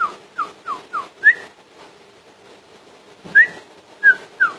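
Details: Common iora song: a run of four short, clear whistled notes, each slurring downward, then a brighter upslurred whistle; after a pause, three more sharp whistles. Dull knocking thumps sound beneath the notes.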